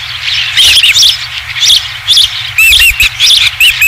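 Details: Osprey at a ranch nest, recorded 20 July 2016, returning with its first fish; bursts of high, thin whistled chirps and squeals in quick irregular clusters, some notes sliding upward, over a faint low background rumble.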